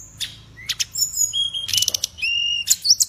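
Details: Songbird kept by Indonesian bird-song hobbyists, praised for its rich voice, gives sharp chirps and long thin whistled notes, some held flat and high, others rising, with brief pauses between phrases.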